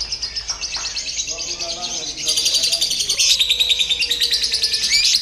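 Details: Lovebird trained through a simulated singing competition: quieter chatter at first, then a louder surge of rapid, buzzy, high-pitched pulses, with human voices and a brief tone underneath.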